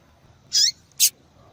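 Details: Female double-collared seedeater calling persistently, a call used to attract males and stir cold males into song; two short, sharp, high chip notes about half a second apart over a quiet background.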